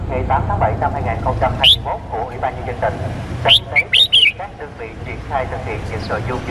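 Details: Cambodian red-whiskered bulbul male calling for a female, kept as a lure for wild birds: a lone high note, then a rapid cluster of three or four bright whistled notes midway, over busy background chatter and voices.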